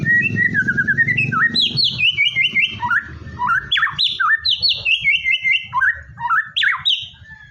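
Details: White-rumped shama in full song, meant to prompt a reluctant bird to sing: a continuous run of loud, varied whistled phrases stepping up and down in pitch, with quick slurred notes and brief trills, some low rumble at the start.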